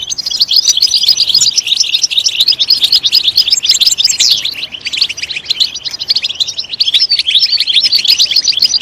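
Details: European goldfinch singing in a loud voice to encourage other goldfinches, with fast liquid twitters and rippling trills, a few descending slurs, and a constant high stream.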